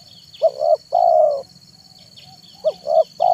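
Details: Lure recording of a spotted dove singing manggung in the afternoon. Two short coos lead into a long, slightly falling coo, a pause, then the phrase begins again; faint high chirps and a continuous electronic tone underneath.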